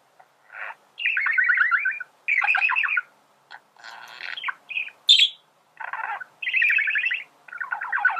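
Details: Warbling song of a male budgerigar, used to teach birds to sing: bursts of fast trilled chatter, clicks and one squeaky whistle, split by short silences, in a quiet room.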